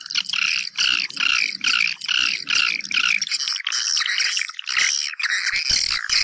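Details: Lure sound for bringing swiftlets into a house: pulsing bursts of high, buzzy chirping repeated roughly every second, turning into a steadier twittering stream, with a faint low hum beneath the first half.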